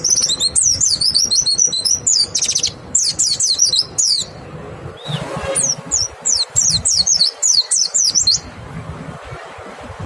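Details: White-eye song serving as a lure to make other white-eyes sing: high, fast twittering phrases in several bursts separated by short quieter gaps, with a low rumbling background.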